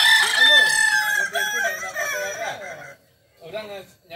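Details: Loud stepped crow of a kukuak balenggek, a West Sumatran village chicken endemic to Tigo Lurah, Solok, famed for crowing in 3 to 19 levels. The crow lasts nearly three seconds, falling in stages, then silence and a short answering call.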